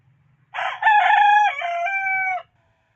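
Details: Domestic chicken kept with hens at home gives a full two-second crow, harsh at the start, then a steady drawn-out harmonic note, with soft low clucks from other birds around it.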